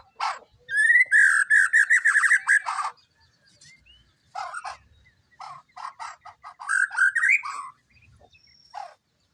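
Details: White-rumped shama singing: a rapid warbled trill around mid pitch, then sharp clicking and chattering notes, ending with a rising slurred phrase and a short final note; pauses between bursts.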